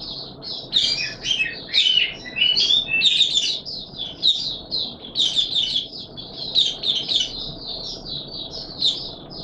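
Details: In warm humid weather, a white-eye pours out a long, rapid, high-pitched twittering song of tumbling chirps and buzzy trills, broken only by tiny pauses.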